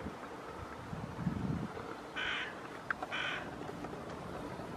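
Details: Crow at Streatham Cemetery on 16 March 2018, giving two short, hoarse caws about a second apart, faint against a steady rumble of distant traffic.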